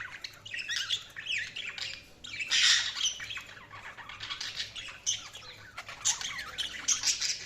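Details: Several budgerigars chatter busily, a rolling mix of warbled chirps, squeaks and grating squawks that swells and fades, with a low background hum.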